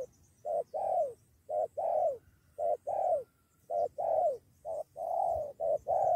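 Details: Wild spotted dove answering a lure, nearly fighting two against one: steady short-long coo pairs, each pair roughly a second apart, mellow and low, with faint high hiss in the background.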